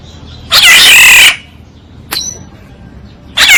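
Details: Oriole calling on a decoy track: a long, harsh, wheezy squawk, a short sharp note, then a second squawk starting at the end.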